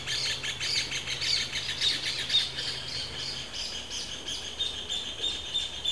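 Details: Rufous hornero in breeding season calling with a rapid, somewhat irregular chatter of harsh high notes, steady in loudness throughout, with a low hum fading out midway.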